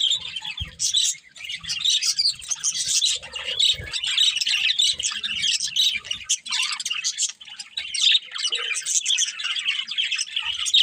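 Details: Pet budgies in continuous chirping chatter, quick high twitters and short rising whistles tumbling over one another, with a few soft low knocks.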